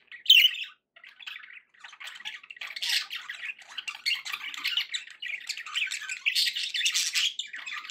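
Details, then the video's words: A sharp squeak opens, then happy budgies build into continuous buzzy, grating warbles and chirps that grow denser and louder toward the end. "happy budgie sounds"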